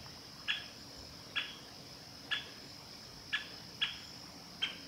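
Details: Male great spotted woodpecker at Ōbora spring, Lake Yamanaka, Japan, 11 August 2020, gives six sharp single 'kik' call notes at irregular intervals of about half a second to one second, over a steady high hiss.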